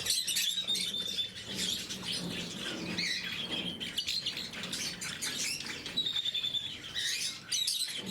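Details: Caged blue-mutation lovebirds during morning feeding give high squeaky chirps and thin whistled notes in uneven bursts, with a low indoor hum beneath.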